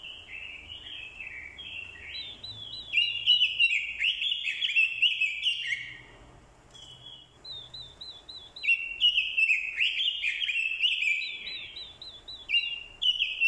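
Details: Orange-headed thrush decoy delivering a vigorous fighting song in response to a female's call. Long, varied warbled phrases packed with rapid looping notes, separated by a short quiet stretch midway.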